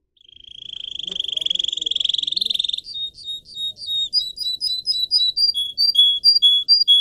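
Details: Pet canary song: a long fast buzzy trill building in loudness, then a series of clear whistled notes stepping between high and lower pitches.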